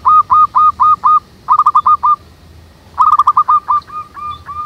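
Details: Wild local zebra doves in a lively manggung chorus: three bursts of rapid clipped notes, each run slowing into spaced curved coos at a steady mid pitch. Quiet pauses fall between bursts.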